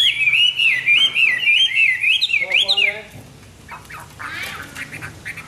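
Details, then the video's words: Hwamei singing in the morning: a fast, warbling string of wavering whistles climbing into sharp upsweeps, then breaking off into quieter, scratchy notes. "Nghe chim họa mi hót hay mỗi sáng"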